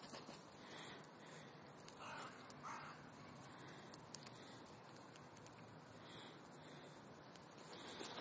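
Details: Rooks arriving in a park as winter comes on. Two hoarse, grating caws sound near the middle over a quiet, hissy background with faint high chirps.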